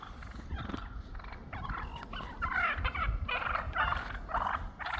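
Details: Wild turkeys flocking up after a snowstorm, establishing their pecking order after months apart; rapid gobbling bursts repeated through the clip, overlapping from several birds, with low wind rumble beneath.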